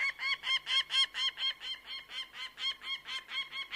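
A bird of prey gives a fast run of harsh, nasal, evenly spaced notes, about four each second, with no other sounds.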